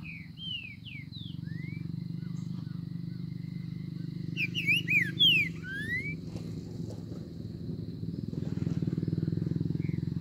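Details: Green-winged saltator in the bush: scattered downslurred whistles, then a louder cluster of sweeping whistled notes midway, against a constant low drone and a faint high tone.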